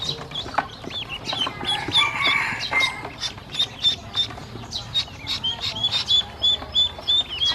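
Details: Hungry baby domestic ducklings, a group, peep while a woman brings them feed and drinking water. Many shrill, high chirps overlap in rapid, uneven runs, several each second, with some rustling and clattering underneath.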